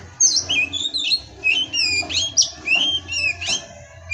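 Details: Oriental magpie-robin in pastol-style song: clear whistled notes alternating high and lower, short swooping slurs given in bursts roughly every half second, with a light hum behind.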